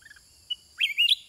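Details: A caged sooty-headed bulbul, countersinging at length with wild birds, gives a brief, rich, warbled phrase that rises and bubbles over about half a second after a faint short note, with a steady high insect hum behind.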